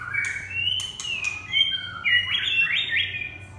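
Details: Red-whiskered bulbul giving a lively run of clear whistles that rise and fall, ending in quick upward-sliding notes. A few faint clicks are mixed in.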